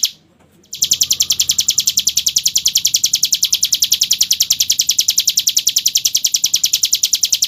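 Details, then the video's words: A prinia delivers a long, rapid, unbroken trill of high, dry, buzzy notes, churning along evenly for several seconds with no pauses, used as a tutor recording for other prinias. "CIBLEK NGEBREN SUARA KRISTAL"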